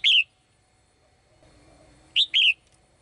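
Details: In a cage, a female bird sings to summon the male: a lone bright chirp, a pause of two seconds, then a pair of clear high chirps in quick succession.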